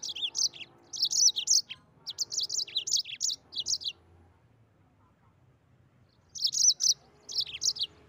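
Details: Energetic rolling song of a Mozambique canary, 'gacor ngeroll': long runs of rapid, high, sweet chirped notes repeated in dense phrases for about four seconds, a two-second silence, then another bright twittering burst; a soft low hum underneath.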